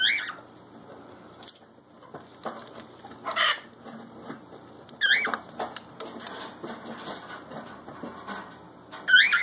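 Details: Two pet cockatiels getting up to mischief indoors, giving sharp, rising whistled calls now and then, with scuffling, clattering and rustling sounds between the calls.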